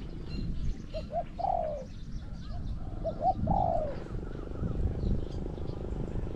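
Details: Spotted dove cooing in a decoy-trapping session. Two phrases are heard, each with short soft lead-in notes and a long, falling, slightly rolled coo. Faint bird chatter sits higher up over a steady low rumble.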